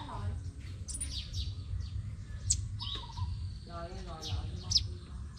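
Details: Crimson sunbird singing competitively in Tân Phú, Đồng Nai, Vietnam: thin, sharp, high downslurred notes given in irregular bursts, mixed with lower whistled phrases from other birds and a murmur of voices over a steady low hum.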